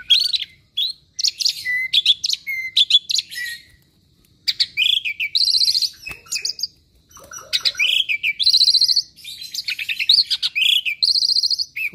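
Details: Restless Asian pied starling copying other birds' voices, giving varied chirps, sharp clicks and whistled slides in bursts, with short pauses, and buzzy high trills toward the end.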